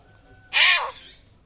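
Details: A single raspy, hoarse screech from a rare Papuan butcherbird whose voice resembles a bird of prey, lasting about half a second and trailing off softly.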